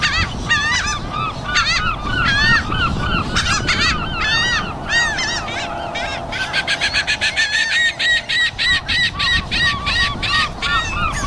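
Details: A flock of seagulls in the afternoon, crowded overlapping squealing calls with rising-falling arcs, turning into a faster, more even run of short repeated notes toward the end, with low rumble beneath.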